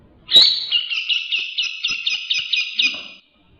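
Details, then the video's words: Grey-cheeked bulbul singing strongly for use as tutor song: one sharp opening whistle, then a series of slurred, bouncing whistled notes on a fairly steady pitch, ending abruptly. "Suara Burung cucak jenggot gacor"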